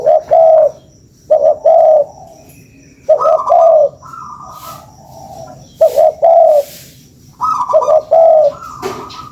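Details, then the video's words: Spotted dove used as a lure, giving repeated low phrases of quick notes ending in a drawn coo, while higher, flatter calls from another bird overlap in the middle and end. "SUARA PANCINGAN BURUNG TEKUKUR"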